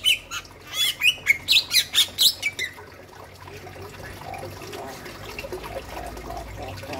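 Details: Bali myna, male and female named: a burst of loud, harsh squawks and clear whistled notes, about ten in under three seconds, followed by low background hiss.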